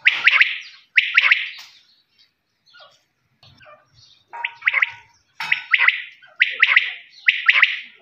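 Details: Desi quail calling in sharp three-note bursts: two phrases about a second apart, a pause with faint scattered rustling, then four more phrases in quick succession.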